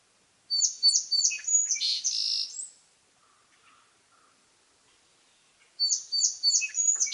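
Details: A song sparrow repeats its song twice, separated by a quiet pause: three or four crisp, evenly spaced opening notes, then a tumbling buzzy jumble of high chips.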